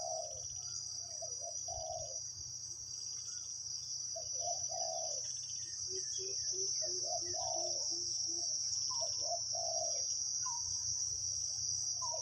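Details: Wild spotted dove with a big voice, called in by a decoy: repeated low rounded coos in irregular phrases over twelve seconds, some shorter quick notes midway, with a loud steady insect drone behind.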